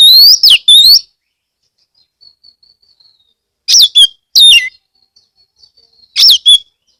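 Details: Lure song of an Oriental magpie-robin (kacer) from Kebumen, Central Java, Indonesia, meant to start other magpie-robins singing; three separated bursts of sharp, high chirps and slurs with soft quiet notes in the gaps.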